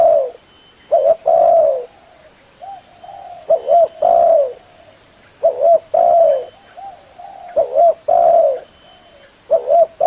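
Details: Male spotted dove calling to lure females and answer companions: repeated low, soft coos with a rolling, slightly rising then falling pattern, phrases every few seconds; quiet background.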